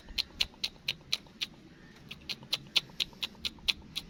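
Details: Black francolin chicks held in captivity for sale, producing a continuous run of brief high-pitched peeps about two per second, slightly uneven in spacing and loudness, with a soft low hum behind.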